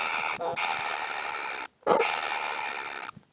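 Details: Kingfisher nestlings pleading for food in a continuous harsh, hissing buzz rich in overtones, briefly interrupted twice by short pauses, with a clicking knock near the middle.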